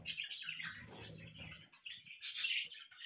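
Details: Budgie chatter from pet birds: warbled, scratchy chirps and twittering with a low rumbling or rustling noise through the first half, then louder bright chirps near the end.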